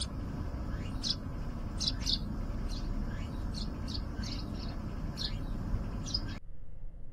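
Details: Eurasian tree sparrow defending its territory at a balcony, 6 September 2020, giving short, bright chirps repeated every half second or so, over a steady low rumble of traffic.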